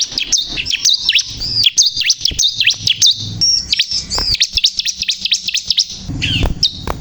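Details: Bar-winged prinia (ciblek kristal) in energetic song, a fast stream of piercing high zigzag notes, each dipping and rising, delivered almost without pause, with a short low rumble near the end.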